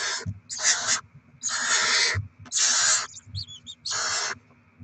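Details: Barn owls at the nest, 7 February 2024, young being fed with delivered rodents: a loose series of harsh, breathy hisses about a second apart, with a few thin higher squeaks and soft thumps.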